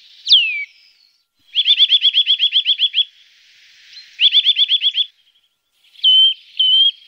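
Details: Eurasian nuthatch used as a lure: one steeply falling whistle, then a rapid, even trill of about fifteen whistled notes, a shorter trill, and two flat piping whistles.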